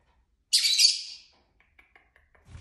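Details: Loud, shrill, harsh screech lasting under a second from pet lovebirds playing and squabbling indoors, followed by a few soft, quick chirps and a light rustle.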